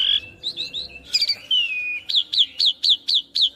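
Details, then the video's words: Song of the Asian pied starling for teaching young birds: fluty whistles and a long falling slur, then seven sharp down-curved chip notes repeated about every quarter second. "Pancingan Jalak Suren Macet Bunyi / Masteran Jalak Suren Muda Agar Cepat Masuk Materi Mudah Di Tiru"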